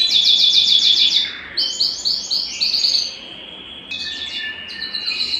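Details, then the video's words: Singing Belgian canary, its song played to spur singing and breeding readiness in females; a bright rapid trill, then a run of slower swooping repeated notes, a lull, and thinner high trills. "Canto Para Esquentar Canário Belga e Foguear as Fêmeas"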